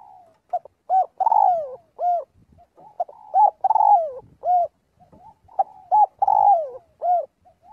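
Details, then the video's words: During daily practice, a spotted dove calls the flock with three repeated cooing phrases spaced about two and a half seconds apart. Each phrase has quick hollow hoots and a long coo that sinks in pitch, with gentle low murmurs between phrases. "tiếng chim cu gáy gọi/chim cu gáy gọi bầy luyện giọng mỗi ngày"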